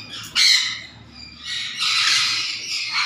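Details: Harsh, grating screeches from a black-capped conure: one loud abrupt squawk, a short pause, then a longer rasping outburst that fades and flares again at the end.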